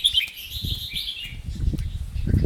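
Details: Red-whiskered bulbul kept in a cage, performing its double and rik song styles: one flowing warbled phrase at the start, then muffled knocks, rustling and a man's voice.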